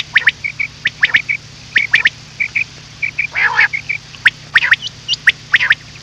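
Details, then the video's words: Common quail calling, recorded for hunting at night: quick bursts of clipped high notes, often doubled, repeated irregularly, with a brief harsher burst midway over a constant low hum. "Batair Song Vol 6 / رات کیلئے والیم 6بٹیر کی آواز۔ / Batair ka shikar raat kelie"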